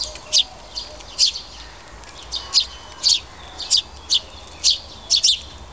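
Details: Sparrow nestling begging while being fed: sharp, high, thin chirps in short bursts, roughly two a second and sometimes doubled, over a steady low rumble.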